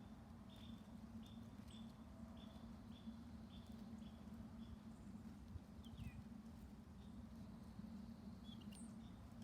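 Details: Northern cardinal singing in the early morning: a steady series of clear, downslurred whistles repeated roughly every half second, with a few higher chirps from other birds over a constant low rumbling hum.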